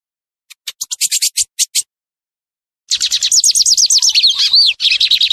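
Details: Lined seedeater, a bird of open fields, cultivated land and scrub across Brazil, sings: a run of short high buzzy notes, then after a pause a fast rapid series of chirpy, slurred whistles.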